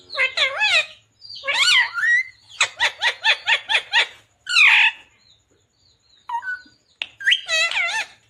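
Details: Talking green ringneck parrot in bursts of wavering, harsh, voice-like syllables. One burst holds a rapid series of about seven short notes, followed by a squeaky rising note and a final quavering phrase.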